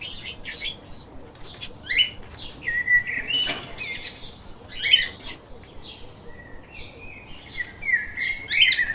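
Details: Chirping pet lovebirds: scattered sharp squeaky notes and drawn-out buzzy chirps spread irregularly over several seconds, with a soft background hiss.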